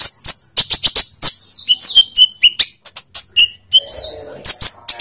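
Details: Captive Olive-backed sunbird song used as a lure for caged birds: sharp high ticks and downward-sweeping thin whistles repeated in quick succession, with clear short notes set between them.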